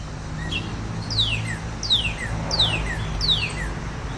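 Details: A male Northern Cardinal that flew into a yard in response to a cardinal call played from a computer, and is flying around overhead, sings a series of clear, steeply falling whistles, about one every two-thirds of a second, over a steady low rumble.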